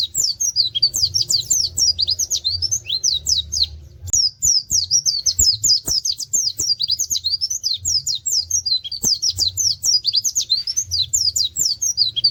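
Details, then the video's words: Tembakan-style pleci (white-eye) song mixing canary-like 'wit wit' notes: long bursts of quick, piercing twittered chirps, a short dip in volume around four seconds, then continuous rapid trilling with faint clicks and low hum beneath. "pleci tembakan wit wit kenari cocok buat masteran"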